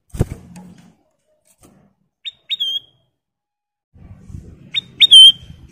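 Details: Cage-kept golden bulbul (kutilang emas), a master recording for training other birds: two paired whistled phrases with a long, level, ringing tail, separated by quiet stretches and low knocking sounds.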